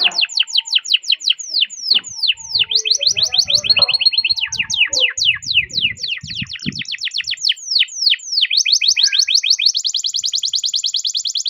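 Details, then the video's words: Canary delivering a long, continuous roll to set other canaries singing: fast repeated sweeping notes, a few varied trills, then an even high rapid rattle, faint low knocks behind. "Masteran Suara Burung Kenari Ngerol Panjang cuit cuit untuk Pancingan Kenari"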